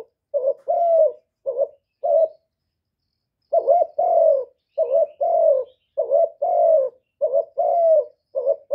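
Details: Spotted dove giving lure calls mixing calling, urging and cooing styles, recorded live without background noise. Low paired coos, each a brief note followed by a drawn-out slurred one, stop for about a second mid-clip, then resume in steady sequence.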